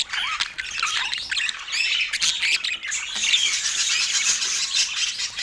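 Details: Pet parakeets at morning feeding time on an autumn morning, in natural light: dense overlapping high chirps, squawks and scratchy chatter, continuous and busy throughout.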